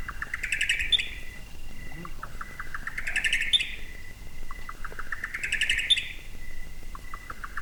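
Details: Buff-collared nightjar recorded at night in Southeast Arizona: three accelerating, stuttering phrases climbing to a sharp high note, repeating about every three seconds over a soft hiss of night insects.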